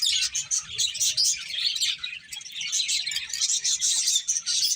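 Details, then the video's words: Group of finches chirping as they eat, an unbroken wash of thin, high tweets and chips layered over one another, loudness pulsing every half second or so. "Cute Finches Chirping Sounds | Beautiful Birds Eating"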